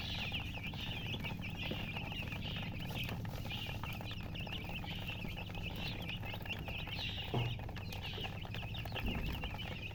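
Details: Newborn domestic chicks peep loudly together, a busy stream of thin, high chirps in uneven bursts over a low steady hum, with soft clatter and a few knocks.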